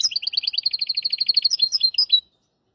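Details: Hybrid finch singing a tutor song for teaching goldfinches and canaries, hafada and widani style: an even, rapid trill of doubled high notes, around eight per second, ending in a few separate chirps before abrupt silence.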